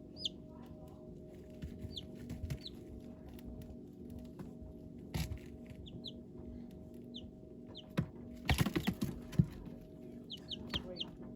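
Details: Baby chicks peeping: short, high, downward-sliding peeps, often in quick pairs, scattered through the recording over a steady low hum, with a burst of scratching and tapping in the middle.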